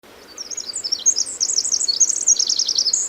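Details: Pacific wren (formerly Winter Wren) singing at the Hoh rainforest visitor center in June 2011: a rapid, very high tinkling cascade of trills and twitters that builds after a soft start and runs on without pause.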